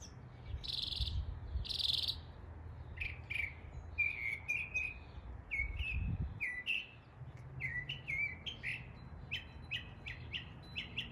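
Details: Northern mockingbird mocking local bird calls in East Tennessee: two harsh buzzy notes open, then a long varied sequence of quick chirps and slurred whistles, phrases repeated in short series, with a brief low thump midway.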